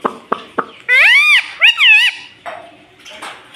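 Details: Pet rose-ringed parakeet talking: a few soft clicks, then two long arching, voice-like squawks rising and falling in pitch, followed by quieter nasal murmurs.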